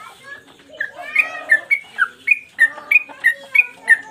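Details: Caged sooty-headed bulbul in strong 'gacor' form, recorded as a master for cage-bird training. After a soft muddled start, crisp whistled notes follow about three per second, alternating in pitch.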